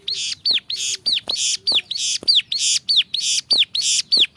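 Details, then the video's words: Ciblek sawah, the bar-winged prinia, alternating loud harsh buzzes with clear arching whistled notes, roughly two pairs per second in a strong, regular beat. "5 VARIASI SUARA CIBLEK SAWAH GACOR"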